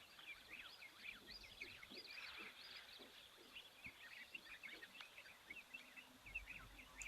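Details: Several dark-capped bulbuls perched on a branch at an African waterhole during the day give a busy stream of quick, liquid chirps and short warbled notes, overlapping one another, with faint soft outdoor background.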